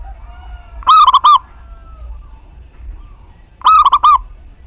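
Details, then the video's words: Local zebra dove in active singing form, recorded as a lure to get other doves to answer and coo; two loud, rolling cooing phrases of three to four quick pulses, about three seconds apart, over a low background hum. "Perkutut Lokal GACOR Pancingan Tercepat Buat Nyaut Bunyi"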